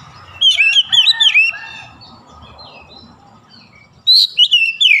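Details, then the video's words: Oriental magpie-robin singing in morning sunlight. A run of loud slurred whistles over a steady low murmur is followed by a pause, then a second burst of high, swooping notes. "SINAR MATAHARI PAGI SANGAT AMPUH MEMBUAT KACER LEBIH GACOR"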